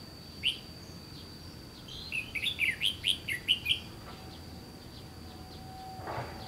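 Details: Red-whiskered bulbul near the Gulf of Tonkin, used in trapping, delivering a fast run of about eight bright chirping notes, then quiet, with a steady thin high tone and a brief soft rustle.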